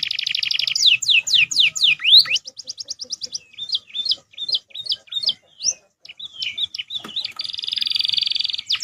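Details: Training song of a canary mixed with tailorbird and ciblek fills: a buzzy high trill opens, followed by sweeping whistled slurs, quick tinny notes and scattered chips, ending in another long buzzy trill.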